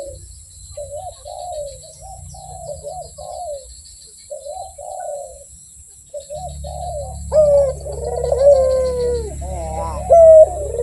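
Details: Barbary dove cooing, soft and distant at first in short bubbling phrases, then louder rolling coos with flat held notes as a deep background hum starts.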